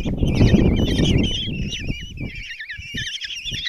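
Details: Five common kestrel chicks in a nest box at Tiszalök, Hungary, begging during a morning feeding by the mother, June 26; wavy, warbling trilled squeals run steadily while low rumbling and wing-like flutter fade after the first second.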